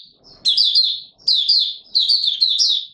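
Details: High, rapid, sweet chirps from a white-eye in buka sing style, warm humid weather, 20 March 2022, in three short tumbling phrases with brief gaps between them.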